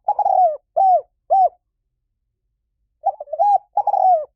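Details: Spotted dove repeating its call: a rolling croo and two brief arched coos, a pause of about a second and a half, then the stuttering opening and rolling croo again.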